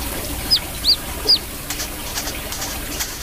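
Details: Brown-throated sunbird calling actively: three loud, high, sharply slurred whistles in quick succession, followed by a pause filled only with hiss and soft background noise.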